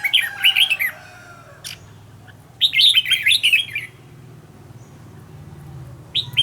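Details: Red-whiskered bulbul, a decoy being trained for contest singing, gives two bursts of lively rapid warbling separated by a pause, then a short final note, over a steady low hum.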